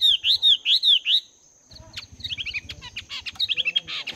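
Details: Chinese hwamei two months in a cage, training its voice at morning: five loud swooping whistles about every quarter second, a pause, then a rapid jumble of chirps and trills over low rustling noise.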